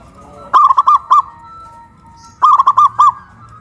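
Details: Two bursts of rapid, rounded cooing from a caged local zebra dove hoisted up a pole in West Java, its voice louder after raising; a quiet pause separates the phrases.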